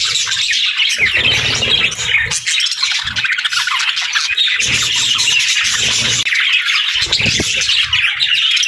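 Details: A group of budgerigars chirping and singing, a steady busy mix of high twitters and scratchy squawks, with intermittent low rumbling bursts underneath.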